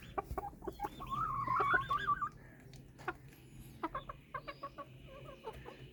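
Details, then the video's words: White Silkie chickens at a farm in Taxila/Wah, Punjab, Pakistan: a wavering, trilled call near the start among short clucks, then spaced single clucks and thin high notes over a low background hum. "White Silkie"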